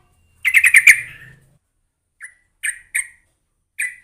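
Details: Sooty-headed bulbul calling meant to get a reluctant bird to respond: a quick bubbly burst of five rising-falling notes with a faint low thump beneath, then a few single sharp chirps spaced out after a silence.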